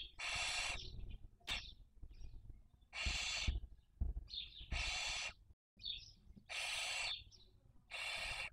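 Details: Barn owl nest in Cabañeros National Park, Castilla-La Mancha, Spain, breeding season 2023, recorded by webcam: five loud, breathy snoring hisses repeated roughly every one and a half seconds, with small squeaky notes in the gaps.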